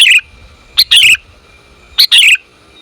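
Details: Female sooty-headed bulbul calling to the male, used for luring: brief scratchy chirps in pairs, a short note then a longer buzzy one, repeated about every second.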